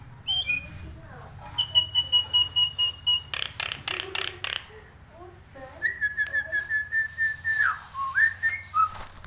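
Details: Nias hill myna in breeding condition, head-bobbing in song: long sustained level whistles at two pitches, a burst of harsh rasping notes, then further long whistles ending in short falling notes, over a low hum.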